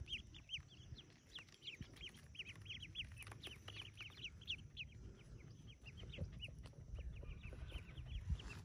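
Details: Forty yellow ducklings hatching in a cave nest keep up a dense chorus of high, sharp, falling peeps, several per second and overlapping, over a low steady rumble.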